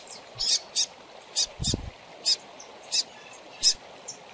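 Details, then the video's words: Young double-collared seedeater, used to warm up captive birds, begs with rapid, sharp, high chirps roughly every half second, with a brief low thud partway through and steady hiss behind. "FILHOTE DE COLEIRO PIANDO"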